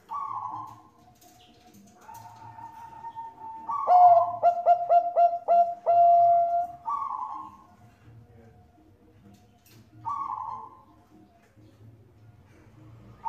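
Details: Bangkok-type zebra dove, a female calling the male, singing as a lure for other doves: a soft lead-in, a quick series of clipped staccato coos, then a long steady mellow note, with breathy hiss bursts before and after.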